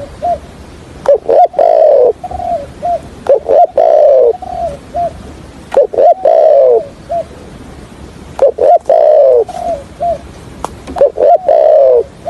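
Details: Decoy spotted dove for trapping, giving repeated stammering coo phrases: a few short throaty notes then a longer descending coo, each phrase roughly every two to three seconds, loud and close.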